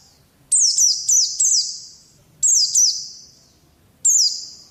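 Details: Pet Oriental white-eye on therapy audio for ngalas singing: short bursts of three or four piercing, downward-sweeping chirps, then about a second of quiet before the next high phrase.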